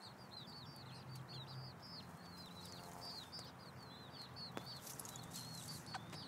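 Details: Six chicks scratching for food alongside a mother hen in late July keep up a busy chorus of high, falling peeps repeated in quick irregular runs, over a low background rumble and a couple of sharp clicks.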